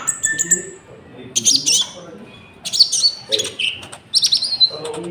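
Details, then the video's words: Common iora song with cricket-like fills, used as a lure for trapping wild birds and to train caged birds: high whistled notes alternate with loud chattering bursts, and a faint low murmur runs underneath. "PANCINGAN GACOR BURUNG KONIN ISIAN JANGKRIK"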